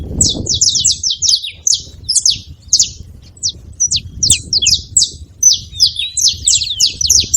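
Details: Saffron finch chattering in a dense stream of thin, high notes that dip quickly, with a few scattered single chips and a low background hum.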